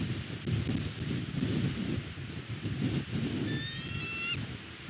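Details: Nest-defending bald eagle at West End, recorded on a nest camera on 22 February 2022; near the end comes one clear, high, thin whistled call with a bright, ringing tone, heard over loud, gusty wind noise.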